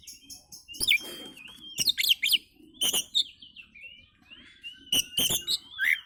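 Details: Oriental magpie-robin song used to attract other birds: thin sustained whistles overlaid with quick harsh chattering phrases, delivered in bursts about a second apart.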